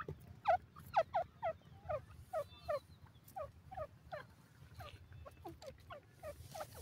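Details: A francolin in forest gives a rapid series of harsh, descending chattering notes, about two per second, over a low background rumble.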